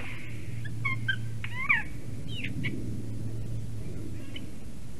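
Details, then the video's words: A Eurasian jay visiting a Latvian black stork nest at 9:47 AM on 11 April 2019 gives a soft, rambling medley of short whistles, clicks and mewing upward and downward slurs over a steady low rumble of wind. "A jay visit and sings interestingly"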